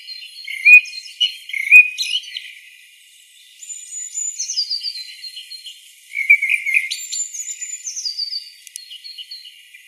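A common blackbird sings short fluty warbled phrases, each trailing off into a thin high twitter, with brief pauses between them.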